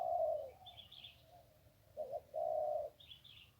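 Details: Zebra dove in 'one kuk' style by the Ping River, Thailand: a long trilled coo, a pause, then a short note and another sustained rolling coo, with soft high chirps in the background.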